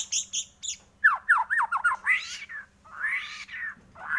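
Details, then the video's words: White-rumped shama song from a lure meant to get shamas singing: high chirps, then a run of sharp downslurred squawky notes, followed by broad harsh rasping phrases. "pANCINGAN pendongkrak emosi burung murai batu cepat gacor mudah bongkar isian"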